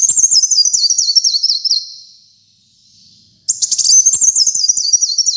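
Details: Kolibri muncang, a caged sunbird used as a song tutor: a fast run of high zigzagging notes slipping lower, a pause of under two seconds, then a rattling burst and another shrill stepped trill.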